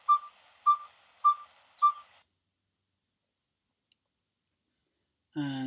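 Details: Yellow-fronted tinkerbird (Pogoniulus chrysoconus) song recorded in southern Africa: four hollow, mid-pitched 'pop' notes evenly spaced about every 0.6 seconds, then silence before a man resumes speaking.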